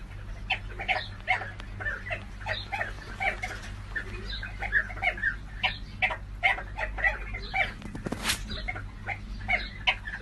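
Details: Sandgrouse calling: many short, harsh, throaty notes with a layered, stacked tone, given in quick overlapping bursts as from several birds, with a steady low hum behind and a brief rushing noise near the end.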